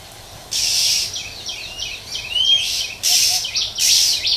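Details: Female Oriental magpie-robin calling in the wild to stir up males. Loud, harsh, hissing bursts come in quick succession, mixed with short twittery notes and one brighter rising whistle midway.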